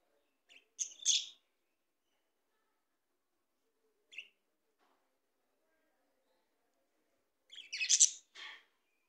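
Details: Talking Australian parrots, kept as pets, give short bright chirps in scattered bursts: a double chirp near the start, a single brief note midway, then a louder cluster of sharp chirps near the end, with silence between.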